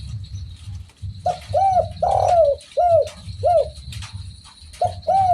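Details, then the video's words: Spotted dove (derkuku) calling: a phrase of mellow arched coos with one longer, rougher coo in the middle, followed after a pause by two more notes. Faint steady high tone and low rumble. "BURUNG DERKUKU MANAPUN PASTI IKUT BUNYI DENGER SUARA INI || SUARA FULL GACOR"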